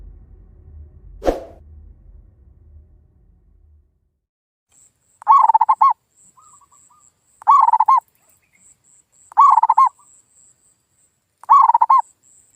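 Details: Zebra dove lure call used to make silent local doves answer and sing again: after an opening thump, a low pulsed cooing phrase of quick stuttering notes repeats about every two seconds, four times, over a steady high insect hiss.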